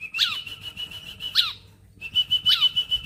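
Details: Bar-winged prinia song recorded as a master track for training songbirds: high, thin note held steady, broken by three sharp descending chirps about once a second, with a short gap before the last.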